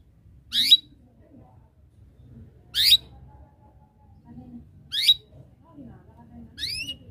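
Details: Lively canary sounding calls that invite rivals to sing: four clear, sharp rising chirps about two seconds apart, the last one split into quick double notes, over a quiet background.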